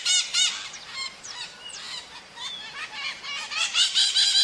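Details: Wild maritacas in nature keep up a continuous raucous chatter of scratchy, overlapping screeches and brief whistled notes, growing louder toward the end.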